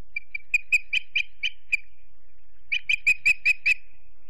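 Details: Osprey calling at a nest in Charlo, Montana, late in the day before sundown, from a family on a live nest camera: two bursts of clear, high, whistled chirps, around seven quick notes each, separated by a short pause.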